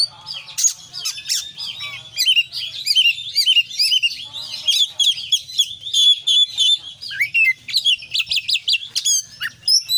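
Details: Oriental magpie-robin in active 'konslet' style singing full of varied fill phrases: a dense, rapid stream of high whistles, chattering notes and sharp clicks, with bursts of repeated down-slurred notes near the end.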